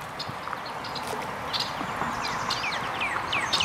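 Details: Trumpeter swan family with five cygnets in Plymouth Township, Michigan, June 8, 2013: thin, high, down-slurred cygnet peeps in quick overlapping bursts, several a second, over a steady outdoor hiss.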